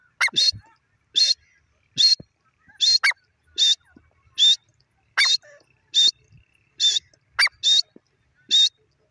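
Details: Grey francolin (teetar) calling for hunting use: loud, shrill, harsh notes given in a steady series about once every second, some with a brief rising squeal before them, over a quiet background.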